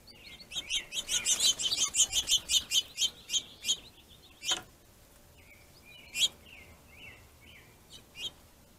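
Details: Finches fighting over a plentiful food source give a fast burst of about fifteen sharp chirps, then sparse single notes and soft slurred chips.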